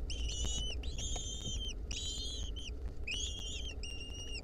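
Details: Wild lesser kestrel nestlings in 2023, troubled by a clinging centipede, give bursts of layered whistled calls, each burst about half a second to a second long, separated by short gaps.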